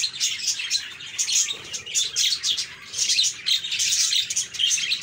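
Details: Pet budgerigars chattering, recorded for cheering sad or quiet budgies; uneven bursts of high warbled chirps and squawky notes from a few birds, with brief lulls between bursts.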